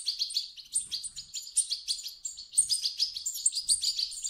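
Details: European goldfinch chicks begging, a recording played so an adult goldfinch will sing: steady streams of high, twittering chirps, bright and rapid, with no other sounds.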